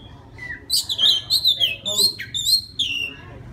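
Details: Wild Oriental magpie-robin singing to attract a female, a loud, lively run of clear high whistles and buzzy slurred notes, some rising and some falling, delivered rapidly back to back.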